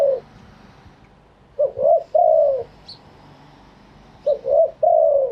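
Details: A spotted dove coos live with authentic wild phrasing. A trailing coo is followed by two full phrases: a short note, a slurred note and a long, soft, level coo. A faint high chirp sounds in the background.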